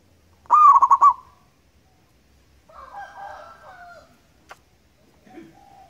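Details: Local wild zebra dove singing as a lure: a single loud phrase of a rising coo and five rapid pulsed coos, followed by softer harsh background sounds and a brief click.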